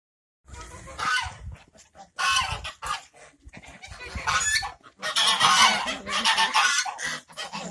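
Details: Talkative geese giving loud, harsh, nasal honks in bursts of overlapping calls from several birds, with short pauses between volleys and a dense, chattering run toward the end.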